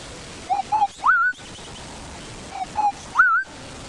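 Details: Southern boubou (Laniarius ferrugineus) in sunrise bush along drainage lines by a termite mound gives two short mellow notes then a rising liquid whistle, twice about two seconds apart, over quiet bush hiss.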